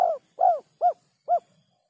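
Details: Spotted dove, 'kuk 3' call type: two longer arched hollow coos followed by two short clipped coos spaced about half a second apart, mellow and mid-pitched against a quiet background.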